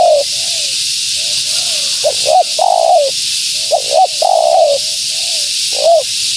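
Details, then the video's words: Cooing of a female spotted dove, meant to attract wild doves. Short double notes alternate with longer sliding coos in a busy, uneven run, with faint softer coos between them and a persistent hiss behind. "Suara Burung Tekukur Betina Gacor‼️Tekukur Liar Pasti Tak Tahan Mendengar Suara Ini"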